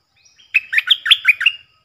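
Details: Stripe-throated bulbul decoy bird's song, used to train young birds and lure wild birds: one short burst of about six liquid, bubbling notes lasting about a second, each note swooping up and down, with no background noise.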